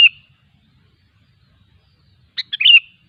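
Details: Sooty-headed bulbul in the wild: one short bright note, a pause of over two seconds, then a fast chattering phrase of several clipped notes sliding into a brief whistled end, against near silence.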